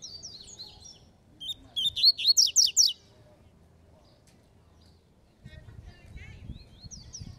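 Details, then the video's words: Contesting Double-collared seedeater of the Falcone song type. A soft high twitter leads into a loud run of about seven fast, sharp notes. Quiet chatter and faint low background sounds follow. "COLEIRO FALCONE DISPUTANDO"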